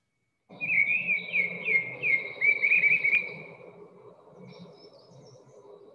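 Mistle thrush singing loud, fluty phrases of looping whistles that stay at much the same pitch for about three seconds, then fades to faint background hum.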